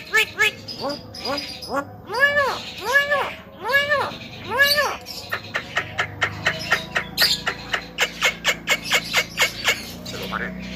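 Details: Javan myna bobbing its head: first a series of loud arched, nasal, harmonic notes about every three-quarters of a second, then a quicker string of short clicking notes over a low background hum.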